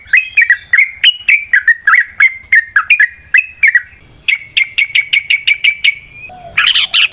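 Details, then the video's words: Lively yellow-vented bulbul song in fighting mood, used to provoke: bubbly slurred phrases tumble in quick succession, then a fast even series of sharp chips, ending in a harsh noisy burst. "Suara Burung TRUCUKAN gacor TARUNG ROPEL PANJANG pancingan trucukan agar JADI trucuk gacor EMOSI"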